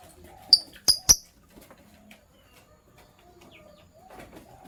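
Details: Sky Blue Opaline and Green Opaline lovebirds chirping in the morning: three loud, shrill, clipped chirps in quick succession, followed by near quiet with faint low background sounds.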